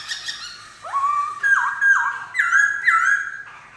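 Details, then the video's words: Black-throated laughingthrush song: after a quiet start, rich whistled phrases with a rising opening note, then paired slurred notes stepping higher, each phrase ending in a downward slide. "Khướu bạc má hót hay!"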